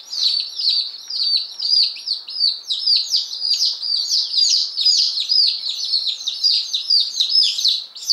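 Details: Fifteen one-day-old chicks, ten Appenzeller Spitzhauben and five White Crested Blue Polish, just arrived on May 19 2015: a dense, overlapping chorus of high, downward-sliding peeps, roughly two per second, continuing without pause.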